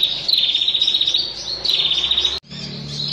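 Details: Bar-winged prinia; trill call; female calling to the male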